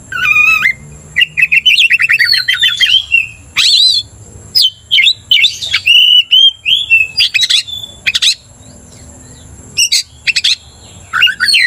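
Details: Oriental magpie-robin in vigorous song aimed at angering a rival magpie-robin: quick trilled runs, sweeping whistles and explosive sharp chips in repeated bursts, steady faint whine in the background.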